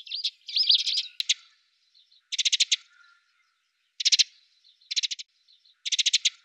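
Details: Eurasian tree sparrows at a fat ball feeder in Budapest, winter, 20 December 2010, filmed from a window hide: a few looping chirps, then four sharp bursts of rapid chattering notes spaced about every second, with quiet gaps between.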